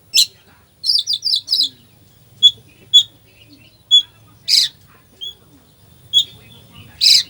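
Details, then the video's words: Oriental magpie-robin in full 'isian' song, meant to provoke a sluggish bird into singing. Short bright chirps and raspy bursts come in scattered clusters, separated by quiet gaps, over a faint low hum. "Kacer full isian , cocok buat pancingan emosi Kacer lemot"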